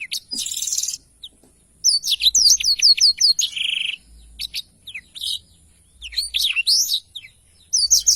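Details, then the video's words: Blackthroat, a bird kept as a songbird, singing a long rolling song with clear audio: bursts of rapid high chirps and slurred whistled notes, rising and falling trills, short pauses between phrases. "Tarikan Suara Blackthroat Super Gacor Ngerol Panjang"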